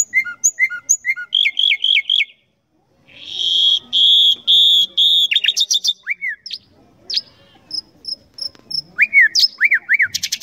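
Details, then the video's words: Common nightingale song: rapid repeated chirps, then a loud buzzy burst, sharp rising whistles and a series of even high notes, with short pauses between varied phrases. "Common Nightingale Songs"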